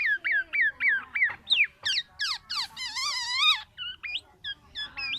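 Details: Black-naped oriole producing quick hooked chirps, rising slurred calls and a longer nasal, wavering note, then more short sharp notes over faint background noise.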